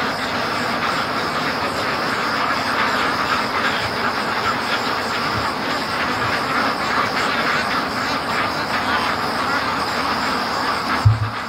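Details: Large free-range flock of domestic ducks, raised in 2014, hurrying along their daily route between lake and home; a dense, steady hum of many overlapping quacks, with a brief low thump near the end.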